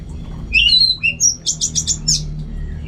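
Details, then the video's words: Orange-headed thrush in lively song: a few slurred high whistles followed by a fast series of about six evenly repeated bright, clipped notes and a final sharp flourish. "Super Kicauan ANIS MERAH Gacor"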